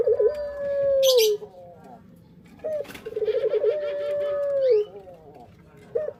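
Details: Male puter pelung dove cooing in a repeated phrase: a long, steady, hollow note that drops at the close, a pause, then a quick two-note hiccup and a throbbing stuttered run into another sustained coo. Short high rasps in the background.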